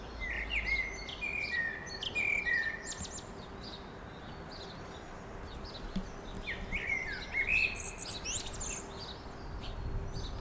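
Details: On an afternoon walk, a magpie gives flutey, warbled whistles in a few bursts, first at the start and again near seven seconds, with faint chirps from other birds and a low steady hum behind.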